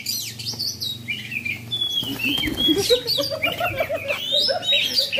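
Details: Tame Asian pied starling singing in the late afternoon during Ramadan: varied chattering song mixing high slurred whistles and squeaky notes with busier lower warbling phrases, dense and continuous, over a low background hum.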